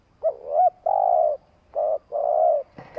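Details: Long coo from a spotted dove kept as a decoy to stir wild doves: a warbling opening, then a run of steady low humming coos of varied length, each separated by brief pauses.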